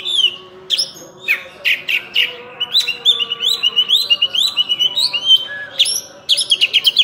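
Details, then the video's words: Oriental magpie-robin in energetic full-isian song, its repertoire filled with learned phrases: continuous varied high whistles and chirps, mid-section a long run of rapid rhythmic notes, ending in dense buzzy bursts. "Kacer Full Isian"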